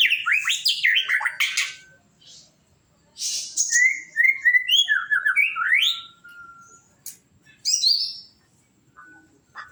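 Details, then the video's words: Melodious song of a white-rumped shama (murai batu): bursts of varied whistles, slurred notes and a long level tone, broken by short pauses, with higher sharp notes near the end. "suara merdu murai batu"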